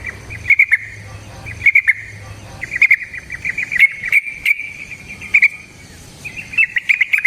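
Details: Yellow-vented bulbul in a long natural-style song meant to draw other birds into singing; thin clipped notes in irregular bursts over a background of insect buzzing and faint hum.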